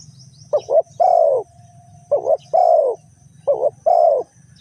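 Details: Spotted dove at a decoy trapping site in Ninh Thuận, Vietnam, giving three phrases, each a quick stuttered double coo then a drawn-out mellow coo, spaced about one and a half seconds apart, with low background hum.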